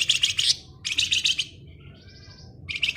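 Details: Flamboyan bird singing rapidly: three bursts of dense, high, buzzy chatter with a faint thin whistled note between them, over a low steady hum.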